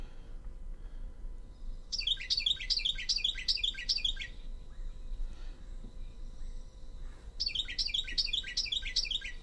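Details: Carolina wren song, which stays all winter and is already nesting in spring, likened to "cheeseburger": loud, rolling bursts of five or six rapid three-note phrases, heard twice with a pause between, over a low steady hum.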